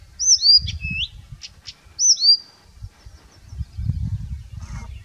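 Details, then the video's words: Singing Blyth's reed warbler in Finland gives high, looping whistled notes, with one phrase repeated after a short pause and a few quick chips, against low wind rumble. "Blyth's Reed Warbler singing in Finland"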